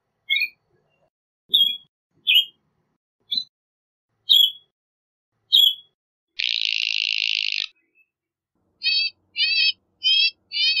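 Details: Northern shrike song made of sharp, slurred whistled notes roughly every second, then a long harsh buzzing rasp, followed after a pause by four quick rippling trilled phrases.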